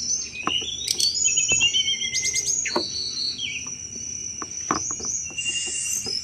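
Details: Energetic Sunda robin giving a chattering cetrekan song, used as a lure for thrushes; varied high whistles, buzzy stuttering bursts and falling slurs, with scattered clicks in the background.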